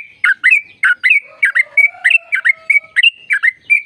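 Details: Sooty-headed bulbul song used to stimulate caged birds: a rapid series of bubbly, slurred whistled phrases repeated about three times a second, with a faint lower drawn-out whistle running underneath.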